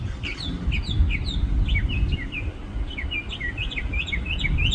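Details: Singing heartily from a tree in a parking lot, a small bird pours out a varied string of quick high chirps and twists, speeding into a dense, lively run near the end, with low rumbling noise underneath.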